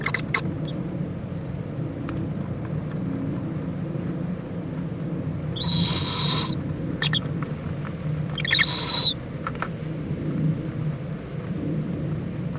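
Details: At a Florida nest in Indiantown, an owl mother preens alongside her owlet near midday, February 26, 2014; two hoarse, high-pitched screeches, each under a second and about three seconds apart, over steady low background hum and a few clicks.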